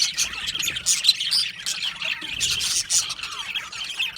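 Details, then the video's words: Happy budgies in an aviary colony give a steady stream of high, scratchy chirps and short warbling notes, many birds overlapping in constant chatter. "Happy Budgies Sounds | Budgies Chirping Sounds | happy Budgie sounds for lonely Budgie birds"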